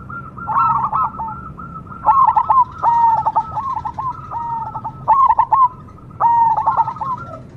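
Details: Cemani perkutut, a zebra dove, delivers rhythmic cooing phrases of rapid clipped notes, one after another with brief gaps, the voice soft and hollow at a constant pitch over a low hum.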